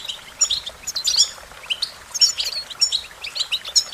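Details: Bright American goldfinch song: separate bursts of twittering notes about every half second, each with a sharp, high whistle at its peak.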